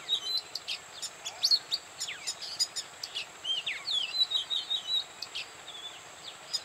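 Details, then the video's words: Oriental magpie-robin singing at Bada, North 24 Parganas, India: fairly soft series of whistled slurs and short chirps, some quick downward notes, delivered steadily against a noticeable background hiss. "Oriental Magpic Robin Singing"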